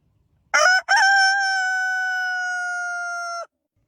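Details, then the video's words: Rooster crowing once: a short broken opening note, then a long steady drawn-out tone held for about two and a half seconds, ending abruptly into silence. "Som de Galo Cantando"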